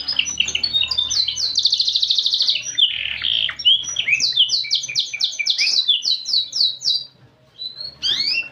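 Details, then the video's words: Canary singing a varied song with unusual phrasing: rapid buzzy trill, then a series of repeated sweeping whistled notes, a brief pause and a final rising flourish. "Burung Kenari Gacor Cengkok Unik"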